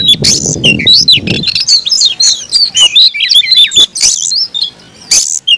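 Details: Oriental magpie-robin, a cage bird, in aggressive fighting song: rapid series of clear, slurred whistles and chattering notes with occasional harsh bursts; low rumble at the start.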